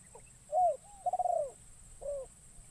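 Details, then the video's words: A decoy spotted dove, newly trained and taken into a forest to draw in wild doves, gives a clear arched coo, a rapid pulsing rolled coo, then a softer falling final note. "Burung Terkukur Pikat"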